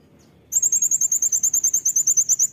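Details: Piercing, rapid staccato trill of a caged brown-throated sunbird in loud 'nembak' song for tutoring, about seventeen bright high notes delivered in two seconds after a short silence.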